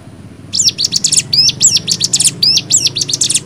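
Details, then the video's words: Cigun singing in the rapid-fire 'nembak' style, one of six variations used as a tutor recording for young birds: dense bursts of sharp, high whistled notes and quick upward and downward slurs, delivered almost without pause after a short quiet opening. "MASTERAN CIGUN NEMBAK 6 VARIASI"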